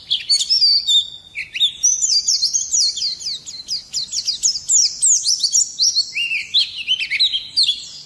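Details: Extended Oriental white-eye song aimed at provoking other birds: dense, rapid cascade of high twittering and sliding whistles, shifting slightly lower midway and rising again at the end.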